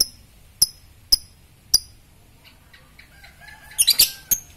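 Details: Fighter lovebird ticking: sharp, high, clicking chirps spaced about half a second apart, then a quick cluster of shrill squeaky notes.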